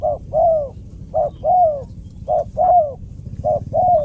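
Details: Spotted dove cooing in pairs: a short low coo followed by a longer, slurred note that falls in pitch. The pairs repeat roughly every 1.2 seconds over a faint low rumble.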